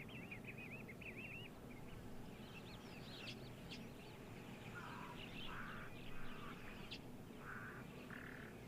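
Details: At a windy dam with wildebeest nearby, on 5 December 2022, Cape crows give a series of harsh, even caws about half a second apart, with wind rumbling underneath and another bird trilling briefly at the start.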